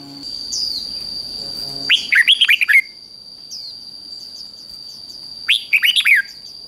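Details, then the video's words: Red-whiskered bulbul fighting song intended to trigger other birds to sing. Two matching phrases of rapid, slurred, downward-bending whistles arrive a few seconds apart over a steady faint background hiss. "Kích Chào Mào Ức Chế Sổ Giọng Hót Đấu"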